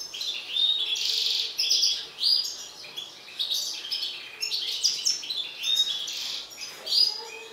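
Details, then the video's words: Excited mutant-colour European goldfinch in full song, pouring out rapid tinkling twitters and rasping buzzes broken by brief pauses, phrases rising and falling in loudness, with a faint low background hum. "حسون طفرة هائج"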